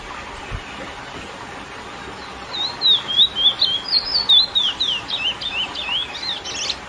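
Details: Lesser seed finch singing the classic curió song to excite females: after a quiet start, a quick continuous string of bright whistled up-and-down notes fills the last four seconds.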